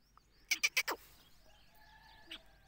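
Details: Black francolin uttering four harsh, clipped notes in rapid sequence, followed by a faint single note and quiet background hum.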